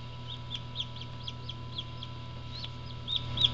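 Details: Hatching Black English Orpington chick from parent stock peeping throughout: short high chirps, each rising then falling, about three per second, growing louder near the end, with a constant low electrical hum beneath.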